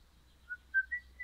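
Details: Pet crimson rosella, an orange bird described as happy and singing, giving three clear whistled notes that step upward in pitch within a second, in a quiet indoor setting with low background hum.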